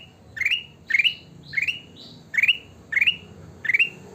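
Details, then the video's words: Energetic sooty-headed bulbul, locally kutilang emas, repeating a short upward-sweeping whistle around every half second, some notes followed by a brief higher tone, against a muffled low hum. "burung kutilang emas gacor"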